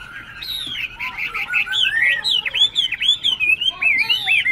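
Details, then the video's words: Tame caged Chinese hwamei near Tân Túc, Bình Chánh, Ho Chi Minh City, singing loudly: a varied run of slurred rising and falling whistles, quick repeated bright notes and swooping phrases, delivered continuously. "Họa Mi Thuần Đét Hót Hét Ok"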